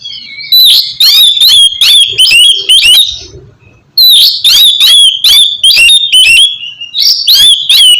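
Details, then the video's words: Oriental magpie-robin song to get a reluctant bird singing: two long bursts of rapid, repeated whistled slurs with buzzy overtones, split by a brief quiet gap. "terapi kusus untuk penggacoran burung kacer yg masih malas bunyi atau macet"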